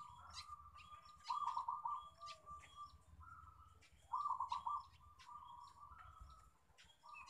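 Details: Local zebra dove lure song to encourage other doves: bubbling four-note coo phrases repeated about every three seconds over steady purring, amid other birds' chirps and a low background rumble.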